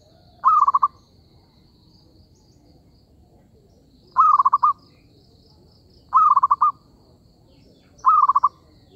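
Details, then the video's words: Zebra dove lure call for trapping: four rolling coos at about two-second intervals, each a short steady note followed by quick purring pulses, with a faint high whine and low rumble in the background. "B.ẩy cu vằn p2"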